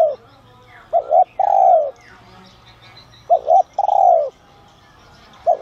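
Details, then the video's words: Calling to draw in wild doves, a spotted dove of the 'son' voice type repeats its phrase, a two-part short coo and then a drawn-out descending croon. Two full phrases sit between partial ones, with faint bird chirps behind. "Chim Cu Gáy GIỌNG SON kích bổi| | tiếng cu gáy gáy gọi , thúc kích mồi, gọi bổi đến"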